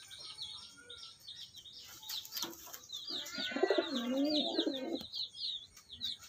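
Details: Pair of pahadi (hill) pigeons, one giving a low, wavering, throaty coo midway. Constant high, thin chirping from small birds fills the rest, with a few brief knocks.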